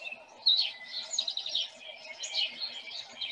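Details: House sparrows in a field by a house in Murray on March 5, 2021 give a busy stream of bright, overlapping chip notes within a mixed chorus of small birds, including a tufted titmouse.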